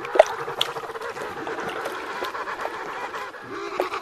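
King penguins giving harsh, honking trumpet calls that overlap in a steady, noisy chorus.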